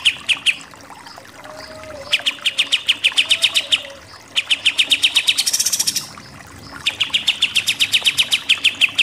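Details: Pied triller 'nembak-nembak' master song for contest birds. Three long runs of rapid, piercing, repeated notes are separated by short pauses. Faint lower slurred whistles are heard in the first gap.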